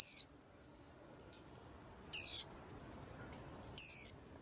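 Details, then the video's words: Three high, sliding-down whistles from a caged white-eye stirring up the whole rack, each short and evenly pitched, with pauses of one to two seconds between them and a faint constant hiss. "Tiếng Chim Khuyên Làm náo loạn cả giàn"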